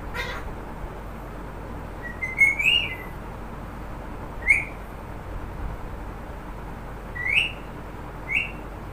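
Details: Pet talking parrot calling a name, giving short rising whistled notes spaced a few seconds apart over steady background hiss.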